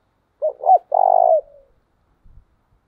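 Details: Spotted dove decoy bird used to train doves: two short rising coos then a long level coo, loud and clean against silence, with a faint thump after.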